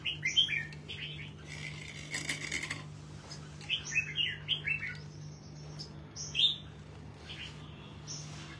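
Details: Morning song of a caged red-whiskered bulbul trained for singing contests, rapid clear whistled notes in repeated bursts, with a brief broadband rustle partway through and constant low hum behind.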